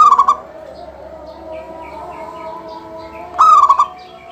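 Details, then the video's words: Local zebra dove singing steadily, a lively bird used to set off other doves singing: a bright rolling coo phrase at the start and again near the end, with soft background chirps and a low hum between. "Suara kutut lokal gacor full manggung"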